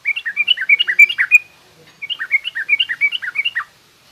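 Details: Yellow-vented bulbul delivering garuda-style and rough ngriwik song meant to tutor young birds: two lively phrases of rapid, gurgling up-and-down notes, each lasting about a second and a half.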